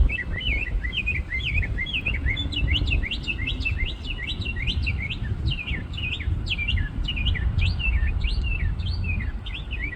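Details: Small bird perched atop a tree in a shopping parking lot sings a varied, rapid stream of bright chirped and slurred whistles, notes rising and falling without pause, with constant low traffic rumble beneath.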